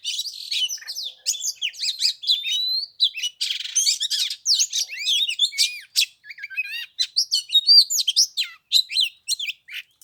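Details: White-rumped shama singing during Tết in 15-degree cold, with about an hour of song and no bird coming down to fight. The song is a dense, continuous run of varied whistles, sweeping slurs and rapid chirps with hardly a pause.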